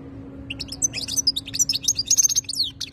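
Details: European goldfinch (khaloui) song: a fast twittering phrase that grows denser, mixing sharp chips, thin whistles and liquid rolls over a low background hum.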